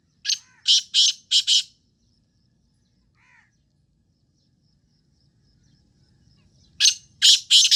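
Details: Black francolin giving two rasping phrases, each of four harsh, buzzy notes in quick succession, separated by about five seconds of near silence with a faint distant chirp.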